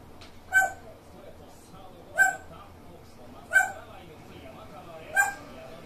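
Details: Grey parrot giving a quirky, peculiar call: four short, harsh, nasal notes with layered tones, each about a third of a second, repeated roughly every one and a half seconds against quiet indoor background hiss.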